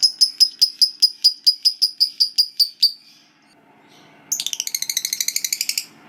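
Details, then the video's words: Lovebird, a fighter-type bird, in long ngekek: a fast even series of high sharp chips for about three seconds, a pause, then a denser rapid chattering trill of rising and falling notes. "Lovebird Macet Bunyi Langsung Ikut Ngekek Panjang"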